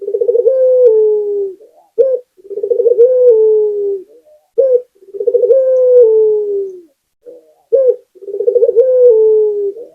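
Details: Local puter dove singing actively, giving a short clipped note followed by a long rolling coo that starts bubbly and slides lower, repeated about every two seconds in a steady series with quiet gaps between.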